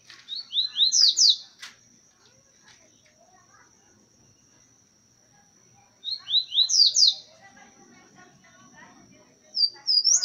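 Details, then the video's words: Coleiro of the boca suja song style delivers a quick phrase of four to five sharp, high, downward-sweeping whistled notes, repeated at roughly six-second intervals, with faint chirps between phrases and a thin steady high tone in the background. "COLEIRO BOCA SUJA"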